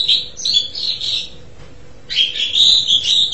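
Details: Asian pied starling producing fast, rolling chattering and whistled phrases, a brief pause, then a louder, denser stretch of harsh and whistled notes.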